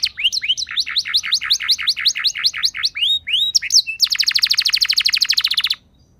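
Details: Canary lure song meant to get other canaries singing: repeated looping chirps at a steady pace, a few sharp whistled notes, then a dense rapid roll lasting nearly two seconds before silence.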